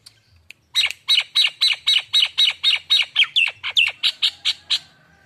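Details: Pancingan sound of a Nias hill myna kept as a young bakalan: a steady sequence of about fifteen loud, buzzy, ringing notes, evenly spaced, a few ending in slight downward bends.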